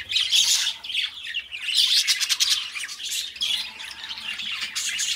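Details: Pet budgies giving loud, raspy warbling chatter in three surging bursts of chirps and squeaky notes, with faint low background hum.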